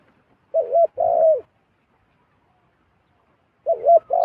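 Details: Zebra dove near a decoy as a wild bird flies in: a wavering, rising-and-falling coo followed by a longer falling coo, then silence before the same pattern starts again.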